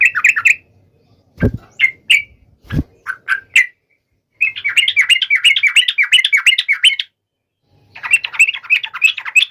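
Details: Yellow-vented bulbul singing to call a rival, a few loud clicks early on: quick bubbling, chattering phrases give way to a long run of fast, repeated notes, then a pause and another chattering run.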